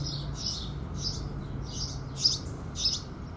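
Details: Sunrise song of house sparrows: six chirps, softer and blurred at first, then two sharper, louder ones near the end, with a low hum running beneath.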